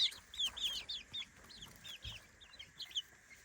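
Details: Young chicks aged three weeks, kept in a playpen by day and indoors at night, calling with short high downslurred peeps in quick irregular series, a soft thump midway.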